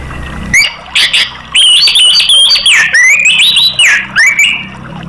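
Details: Lure song of an orange-headed thrush meant to set other caged birds singing: a flowing series of clear whistled notes, rising and falling, some bending downward, broken by short pauses.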